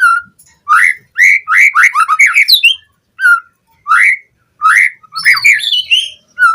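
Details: White-rumped shama (murai batu) lure song used to train captive birds to sing steadily with a full repertoire of fill-in phrases: loud, rich whistled phrases rising and falling, repeated in bursts with short pauses, clean background.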